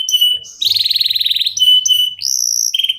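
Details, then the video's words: Local canary song used as a prompt for other birds: steady clear whistles alternating with rapid bubbling trills and a higher rolling phrase, all high-pitched and continuous. "KENARI LOKAL GACOR TOTAL, SEMUA IKUTAN BUNYI..PANCINGAN AMPUH BIKIN CEPAT GACOR"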